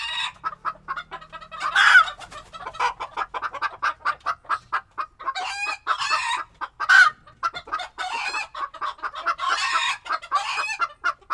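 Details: Chickens in a coop in Tokyo, Japan, in February 2022, recorded in stereo: lively chatter of many hens, a dense stream of short clucks with louder drawn-out squawks every few seconds.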